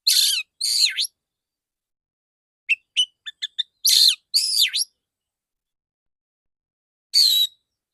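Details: Full, clear 'dor dor tembakan' song from a male Oriental magpie-robin in a therapy recording. Loud harsh-whistled phrases surround a quick run of short clicking chips, then a lone phrase after a gap.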